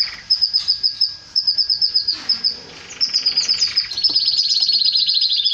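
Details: Male canary song linked to mating with a female: evenly spaced high chirps in a steady series, a brief pause, then a dense fast rolling trill that grows louder.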